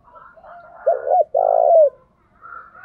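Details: Morning decoy call of a spotted dove used to provoke males: one phrase of a quick two-part coo followed by a longer, smooth, low coo that falls at the end, with faint background tones.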